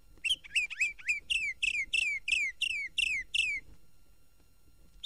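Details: Northern Mockingbird song in Florida (1969 record): a rapid run of about a dozen bright, downslurred chirps, roughly three per second, then silence; quiet background.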